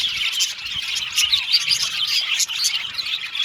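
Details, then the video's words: A group of budgerigars, described as happy Australian budgies, twitters continuously with high chirps and quick bursts of scratchy chatter, sometimes briefly louder. "Beautiful Cute Budgies Chirping Sound | Australian budgies Singing sound"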